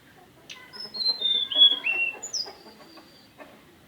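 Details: High, pure whistled song of a mountain tailorbird: a falling sequence of drawn-out notes, then a separate bright note sliding down. Soft clicks and faint lower sounds are heard around it.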